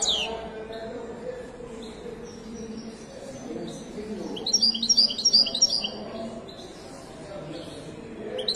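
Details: Moroccan Widani goldfinch at a bird market in Casablanca, Morocco: amid steady crowd hum and low murmur, a short phrase of rapid, high, twittering notes breaks out midway and lasts about a second.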